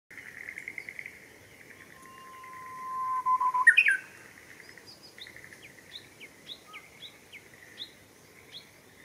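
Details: Japanese bush warbler singing in Showa Kinen Park on 10 April 2021: a long steady low whistle of about a second and a half rises into a quick loud flourish, with soft high chirps from other birds before and after.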